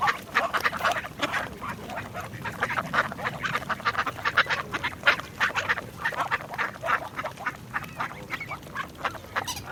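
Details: Busy group of ducks quacking almost nonstop, short nasal calls tumbling over each other in rapid irregular succession throughout.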